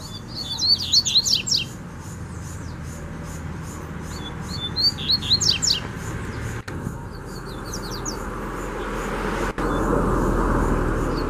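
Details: Double-collared seedeater song from a wild bird in the bush: two phrases of fast, high, chattering notes with steep descending strokes, a few seconds apart. A low rumble persists and grows louder toward the end.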